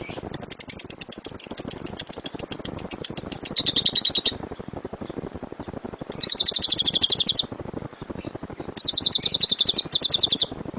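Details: Lovebird singing 'gemuruh tembakan' (thundering rapid-fire) song, a master recording for other birds: a long shrill trill that slowly drops in pitch, then two more dense, buzzy bursts separated by short pauses.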